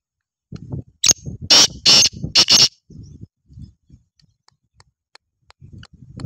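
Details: Rasping black francolin call of five loud, harsh notes over roughly a second and a half, the last two close together, with soft low thumps and knocks before and after.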